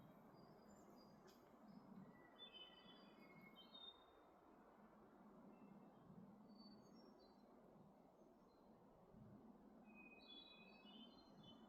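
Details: Wood thrushes in Maine trade faint, fluty phrases that ripple downward, each a few seconds apart, in call and response, with wind and other songbirds over a steady low rumble.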